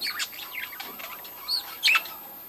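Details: Budgies of a breeding colony giving quick scratchy chirps and squeaky notes, a burst at the start, a short arched note mid-way and a loud sharp squeak close to two seconds.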